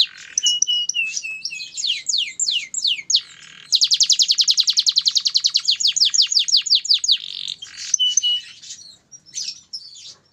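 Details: Captive-bred canary from a breeding farm singing: a series of down-slurred whistled notes, then a fast rolling trill of rapidly repeated clicks lasting several seconds, ending with scattered short chirps and quiet pauses.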